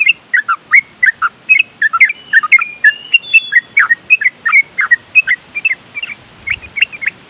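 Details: Yellow-vented bulbul, known locally as trucukan, in nropel style, a rapid chattering used to provoke other bulbuls to answer. Loud, bubbly, choppy notes come in quick bursts of two or three, with short gaps between them.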